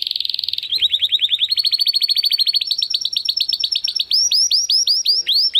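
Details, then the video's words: Training song from a male Timbrado Español canary born in 2020: a very fast trill runs into a long series of rapid rolling notes, then gives way to slower, higher hooked whistles near the end. "Your Canary will sing immediately - meet Mr. Six ! - Canary 's Training Song"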